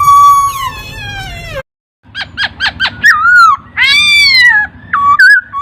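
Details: Laughingthrush (poksay) song recorded as a master for training songbirds: a descending harmonic whistled glide, a pause, a quick series of sharp notes, then loud warbled whistled phrases.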